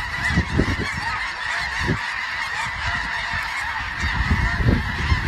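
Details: Massed snow geese calling together: a steady wash of many overlapping nasal honks and yelps, no single bird standing out, over a low background rumble with scattered thumps.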